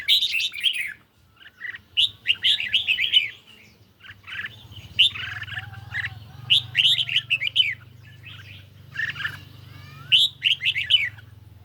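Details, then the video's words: Singing duel between a caged red-whiskered bulbul and a phone recording, lightly sunny day: repeated bursts of rich, rolling, warbled phrases, each a second or so long, with short silences and a low continuous hum underneath. "Chim Chào Mào Của A Tủa Hót Đấu Với Điện Thoại Cực Xung"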